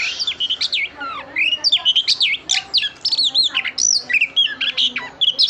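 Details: Female oriental magpie-robin calling to stimulate the male, a dense, rapid stream of varied whistles, twisting slurs and chirps with hardly a pause, loud and busy throughout.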